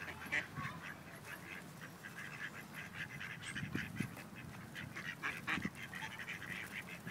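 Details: Rejected male ducks pursuing a female for forced mating in Wilmington, NC; short raspy quacks come in rapid, uneven runs, several per second, with splashing and thuds in the lower range.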